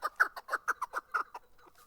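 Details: Chukar partridge in Darvoz, Tajikistan, recorded in 2020: a quick run of about eight sharp, clucking chuk notes, then fading softer notes, with a quiet background.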